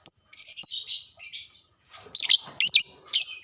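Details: Caged lovebird, played to stir other lovebirds into arousal and singing, gives dense high buzzy chirps and squeaky trills in rapid uneven bursts, with short pauses between loud phrases.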